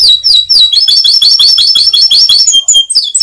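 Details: Canary in ngebren song, loud and unbroken: rapid rising-falling chips repeated several times a second, ending in short pure whistles and buzzy trill fragments.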